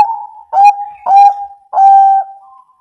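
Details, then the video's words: Bangkok perkutut, or zebra dove, cooing to draw lazy birds into song: three steady, mid-pitched coos, each opening with a burry attack and holding briefly before fading into a soft trailing tone. "PERKUTUT BANGKOK MBEKUR NGEROT AMPUH buat PANCINGAN MALAS BUNYI jadi NYAUT ikut MANGGUNG"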